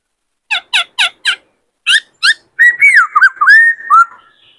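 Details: Four evenly spaced harsh harmonic chips, two more, then a rich warbled whistle with quick dips: a caged male White-cheeked laughingthrush singing in many voices while stimulated by another bird.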